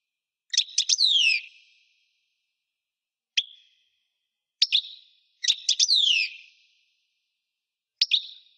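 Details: Kept European goldfinch calling in short bursts, sharp high chirps with steep falling slurs, interspersed with single clipped notes at irregular intervals over several seconds; otherwise quiet.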